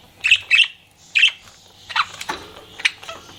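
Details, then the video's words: Flirting pet budgerigar utters three quick harsh chirps close together, then a run of softer, lower warbling notes and scratchy sounds. "CUTE PET BUDGIE FLIRTING"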